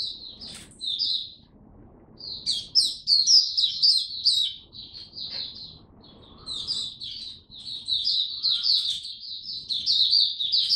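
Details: Oriental white-eye, a hobby songbird on its first day of a supplement test, gives long bouts of high, rapid twittering with quick slurred notes, broken by short pauses.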